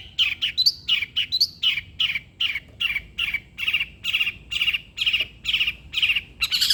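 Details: Long-tailed shrike singing energetically, used to urge a sluggish shrike to sing: a few high, upward-sweeping notes, then a steady series of harsh, buzzy chirps, about two a second.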